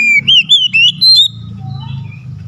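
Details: Oriental magpie-robin song meant to excite a lazy bird: a brief series of four clear, wavering whistled notes, then fading into a low background hum.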